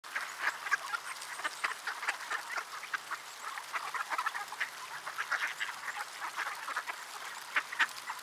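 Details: Many ducks calling in the cold at Sainte-Adele, Quebec, Canada, on a December afternoon at 3:35 PM, -3°C feeling like -9°C; dense, overlapping nasal quacks chatter continuously, several per second, with no pause.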